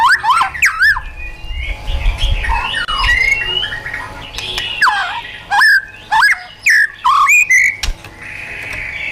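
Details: Caged white-rumped shama giving wild-style training song: varied whistles, sharp upward sweeps and rapid rising notes, with harsher squawky passages and a faint low hum behind.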